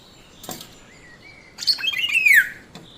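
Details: Black-naped oriole, a yellow bird, recorded on a phone or camera: one grating, nasal call falling steeply in pitch, preceded by a soft thin whistle and a brief click.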